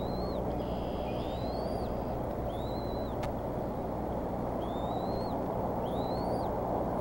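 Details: Growing bald eagle eaglets eating at the Decorah nest on 16 April 2014, nest time 10:00: thin, high, upslurred whistled notes at irregular intervals over a loud, steady rushing background noise.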